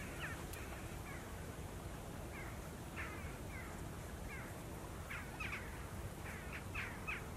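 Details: A family of greater white-fronted geese, two adults and four young, feeding and resting during autumn migration on 16 October 2018 in Mogilev district, Belarus, give high, yelping double-noted calls in scattered bursts, quickening toward the end, over steady low wind rumble.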